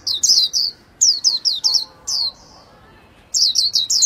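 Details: Series of sharp, high down-slurred chirps from a Japanese white-eye, a quiet gap, then a fresh run of quick similar notes.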